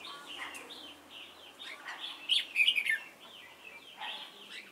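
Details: A decoy red-whiskered bulbul at a trapping site at Chùa Hương on 28 November 2017 delivers one loud, quick, liquid warbled phrase midway. Softer bird chatter continues throughout.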